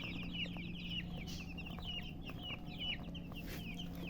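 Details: Group of chicks chirping, high thin peeps dropping in pitch and repeating quickly and unevenly, over a continuous low electrical-sounding hum.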